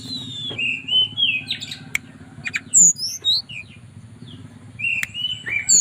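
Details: Flute-like song of a captive mountain tailorbird in Purworejo, Central Java, calling a female. Clear whistled slides and high upswept notes come in separate phrases with brief clicks, above a constant low droning hum.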